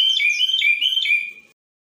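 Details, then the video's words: Moroccan common bulbul in a tachyiaa-style song with two changes: a short run of loud, whistled, alternating high-low notes lasting about one and a half seconds, ending abruptly into silence. "تشييعة بتبديلين ما شاء الله من طائر المولوع"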